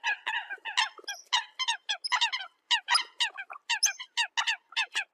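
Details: A busy chorus of Eurasian coots calling to the flock, with quick harsh notes in bursts separated by short pauses.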